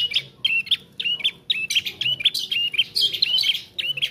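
A young Bar-winged Prinia practises its song: short, bright chirps and squeaky slurred notes, about three each second, with a faint low hum behind.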